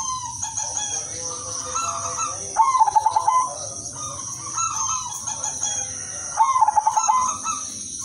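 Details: Zebra dove, udanmas silver variety, giving melodious lure song for other doves. Three phrases each mix a smooth coo with a fast train of clipped beats, roughly every two seconds, over a high continuous hiss.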